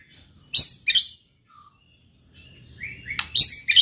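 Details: White-rumped shama singing to provoke rival birds: two loud harsh high bursts, a short soft whistle, then a thin rising note and another harsh burst.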